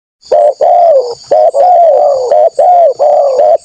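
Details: Spotted dove calling loudly and persistently, a recording used to lure wild doves: a rapid run of low, hollow coos, each note slurring slightly downward, delivered almost without pause over a steady high whine.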